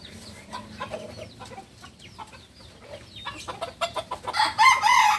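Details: A Balenggek rooster, a beginner from Solok, West Sumatra. A burst of rapid knocks and scattered chirps builds into a loud, harmonic crow starting in the final second.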